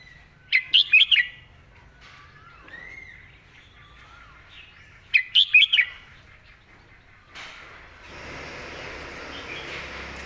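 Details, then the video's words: Red-whiskered bulbul singing its 'master song' with elegant phrasing: two short, ringing phrases of four rapid whistled notes, about five seconds apart, then a steady rushing hiss near the end. "นกกรงหัวจุก"เพลงแม่บท เดินสำนวนสวย"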